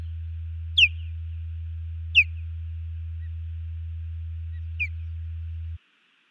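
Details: Osprey at a Hellgate Canyon nest in Missoula, Montana, calling as the male defends against an intruder, June 2019; three sharp down-slurred whistled chirps over a constant low electrical hum.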